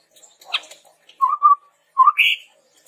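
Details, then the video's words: Chestnut-rumped babbler lure song: a sharp click, then two low whistled notes and a quick rising whistle climbing to a higher slurred note. "SUARA PANCINGAN BURUNG TEPUS TUNGGIR MERAH GACOR COCOK UNTUK MASTERAN"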